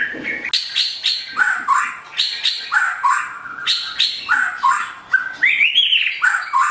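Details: White-rumped shama, pied form, sings a morning lure song for training birds: quick repeated bursts of sharp notes followed by looping whistles, in a fast, busy rhythm.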